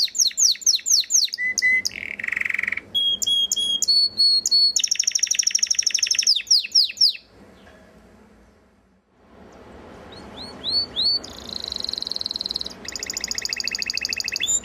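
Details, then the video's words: {'caption': 'Varied singing from a breeding male Belgian canary: slurred notes, whistles and buzzy rolls, then a brief quiet pause before the trills and whistled phrases resume.'} "CANARIO BELGA GALADOR"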